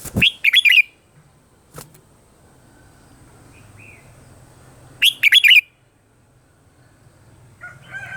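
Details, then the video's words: Morning song of a red-whiskered bulbul, played in Vietnam as a decoy to train other bulbuls to sing: two rapid, bright, chattering phrases about five seconds apart, quiet low hum in between and faint whistling at the end. "Luyện giọng cho chào mào hót sáng - hót hay nhanh căng lửa quá phê"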